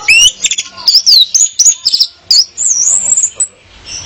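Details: Orange-headed thrush female luring a male: high thin whistled notes and quick slurs, ending in a sustained warbling trill before falling quiet.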